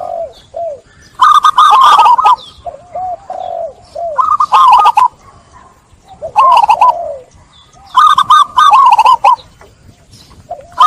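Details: Zebra dove song used as a lure to restart cooing in stressed doves: softer low coos alternate with four loud, rapid trilled coo phrases, each with sharp clicking notes, repeating every few seconds.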